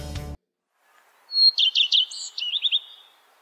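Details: Common Redstart song phrase after a brief burst of other sound: a thin opening whistle, then a rapid run of repeated chirping notes ending in a short buzzy trill, high and clear.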